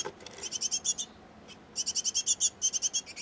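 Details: Great tit pair at its nest box feeding nestlings: two bursts of quick, high, even chirps about eight per second, separated by a short pause with a single faint note.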